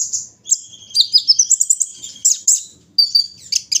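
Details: A kolibri ninja set out in the morning for dew-taking gives a quick jumble of piercing high notes and a brief thin whistle, then a pause before more sharp chirps.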